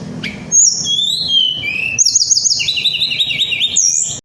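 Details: Little Pied Flycatcher rolling 'ngerol nembak' song aimed at riling flycatchers: a sharp click, high whistled phrases, then fast repeated zigzag trills at two pitches; faint low hum.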